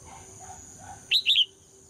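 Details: Female red-whiskered bulbul singing to provoke males to sing: one quick phrase of three clear, down-slurred whistles after a second of quiet, faint lower chatter before it.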